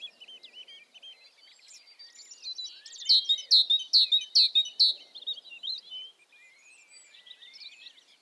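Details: Amid a background of soft twittering birds, a tit breaks in with five strong, evenly spaced down-sweeping notes lasting about two seconds.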